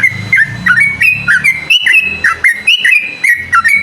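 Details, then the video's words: Yellow-vented bulbul in full 'ropel' song, calling out a rival: a fast stream of ringing whistled notes, each dipping then snapping higher, delivered without pause; a faint low hum underneath. "suara burung trucukan gacor mengajak lawan adu ropel"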